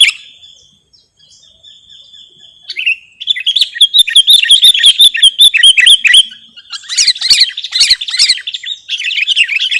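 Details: Sooty-headed bulbul for luring and song training: a long steady thin whistle, then a busy rush of rippling warbled notes and a few sharp chattering bursts near the end.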